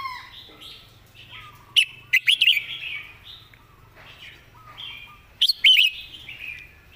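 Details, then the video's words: Red-whiskered bulbul kept as a song-teacher bird, praised for clearly placed notes and good phrasing; bright warbled phrases with sharp, loud bursts near two and five and a half seconds, softer fluting notes between, over a faint low hum. "วางคำชัด"เดินสำนวนดี /นกครูเพลง"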